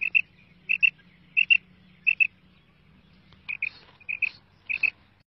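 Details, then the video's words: A female quail gives its call, sharp, high double notes, a quick pair roughly every two-thirds of a second, over a faint low hum. "Female Quail Calling karkari Maadi Ki Awaz"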